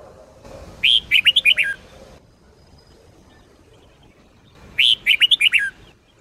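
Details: Red-whiskered bulbul in Sông Kôn singing style, recorded for training: two lively bursts of five or six loud, slurred whistles ending on a lower note, about four seconds apart, with faint low background hum.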